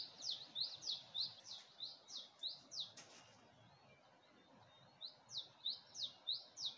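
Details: Bird song at early dawn at Gulmit in Hunza, facing the Passu cones: evenly spaced high, sharp sweeping notes about three per second, a pause, then the series resumes, against soft constant background hiss.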